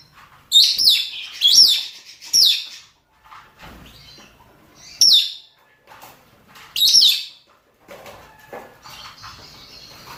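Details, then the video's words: Mating calls of male and female rosy-faced and Fischer's lovebirds: piercing, rasping screeches, three in quick succession, then two more spaced apart, with quieter twittering and a soft hiss at the end. "نداءات ذكور وإناث طيور الروز والفيشر من أجل التزاوج"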